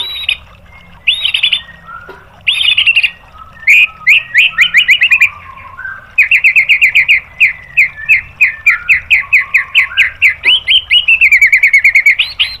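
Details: White-rumped shama singing in a recording meant to stir other birds into song: a few loud, ringing whistled notes, then long rapid series of sharp repeated chipping notes, several per second, ending in a steady fast trill.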